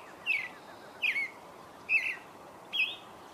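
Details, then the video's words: Creamy-bellied thrush singing at dawn, giving four short, bright, slightly falling notes about a second apart, over a steady background hiss. "Zorzal Chalchalero"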